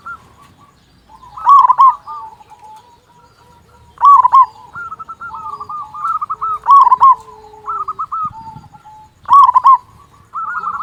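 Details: Loud local zebra dove, used to prompt quiet doves to sing. Bursts of rapid rolling coos repeat about every two to three seconds over softer overlapping dove cooing and a low steady whistle-like tone.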